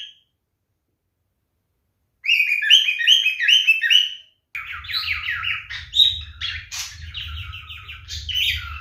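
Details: Male cockatiel, a pet parrot, calling in courtship: rapid runs of bright chirping notes and warbled whistles after a silent start, with a low steady hum underneath in the second half.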